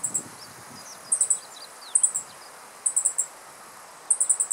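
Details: Alarmed male Meadow Bunting, riparian woodland in Japan, July 2015, just after catching an insect: clipped, very high ticking notes in tight clusters of three to five, bursts spaced roughly a second apart, soft background twitters and steady hiss.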